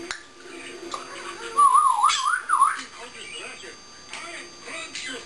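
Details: African grey parrot indoors, kept as a pet, vocalizing once its owner leaves the room: a clear wavering whistle that rises and falls several times, followed by softer mumbled speech-like sounds.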